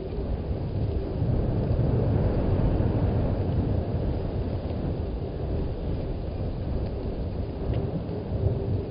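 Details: Steady low rumbling like wind or distant thunder dominates, with no clear animal calls.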